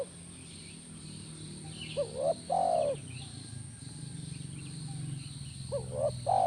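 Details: Spotted dove calling to draw a response from a caged spotted dove; two phrases of two short rising notes and a long, falling coo, over a low rumbling hum that swells between phrases.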